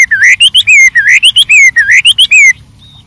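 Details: White-rumped shama singing in the wild: a loud phrase of rising and falling whistles repeated three times over about two and a half seconds, then a faint high note.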